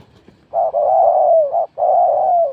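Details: Spotted dove competing in a cooing contest: long, continuous mellow coos that hold a low pitch and dip slightly at the end, broken by one short gap, in a quiet background.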